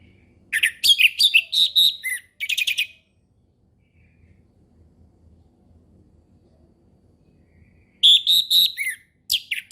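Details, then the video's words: Ngeplong-style song of an orange-headed thrush, used as a lure for young birds learning it: a dense two-second run of rich, rapid whistled phrases, a long quiet gap, then another fast, sweet burst near the end. "SUARA HUTAN ANIS MERAH NGEPLONG SANTAI"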